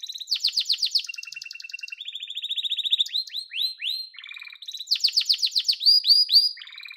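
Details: Yellow canary in full song, chaining fast rattling trills, a steady rolling trill, sweeping upward whistles and a low buzzy burst before returning to bright rapid trills.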